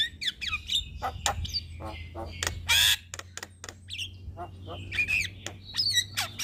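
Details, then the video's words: Javan myna (jalak kebo) singing as master and bait audio for other birds: scattered harsh squawks, clicks and short whistled notes with a loud grating burst near the middle, over a steady low hum. "Burung Jalak Kebo Gacor Mental Juara Tetap Bunyi Siang Malam Pas Buat Masteran dan Pancingan"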